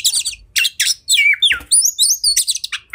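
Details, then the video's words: Fired-up oriental magpie-robin in fighting mode, song said to make rivals spread their tails; harsh bursts alternate with clear descending whistles and a quick run of high, sliding notes. "Kacer Gacor Tarung Emosi Tinggi! Buat Kacer Lain Langsung Ikut Emosi Auto Buka Ekor"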